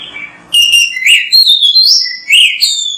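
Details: Kacer, the Oriental magpie-robin, singing energetically as a master recording: brief hiss, then loud, clear whistled phrases, rising and falling slurs interleaved with sharp high chirps in quick succession.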